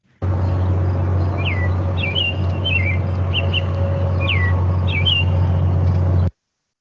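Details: American robin recorded by acoustic monitoring at a solar energy facility and identified by BirdNET at nearly 100% confidence: short clear whistled phrases, some sliding downward, in a loose string over a steady low machine-like hum.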